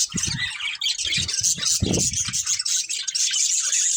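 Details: Budgerigars from a family group produce a loud, unbroken mix of high buzzy warbles and squawky chirps, over low thumping and rustling sounds during the first half.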